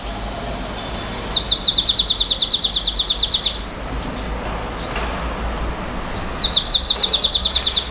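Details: Nightingale in a 'bouh gnaoui goubaa' style song: a quick high upslurred note, then a long rapid run of sharp, even repeated notes lasting about two seconds, a pause, and another fast trill near the end.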